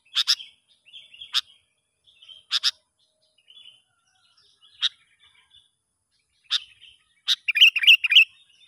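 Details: Sooty-headed bulbul, wild, during a young lure bird trial: scattered sharp double chips repeated every second or two, with soft warbled notes between, ending in a fast bubbly chattering run.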